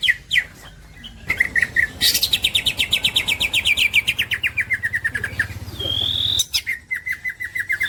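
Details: Green leafbird, a champion songbird, singing: rapid chirps, then a long run of buzzy notes repeated several times a second that slide gradually downward, a brief pure whistle, and quick chirping phrases near the end.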